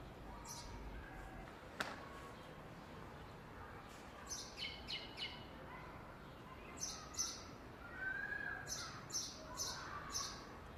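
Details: Unidentified bird on the roof of a mosque's women's section, calling back and forth with a nearby turtle dove: high, thin chirps in quick clusters of two to four notes, a few lower warbled notes, steady outdoor hiss, one sharp click.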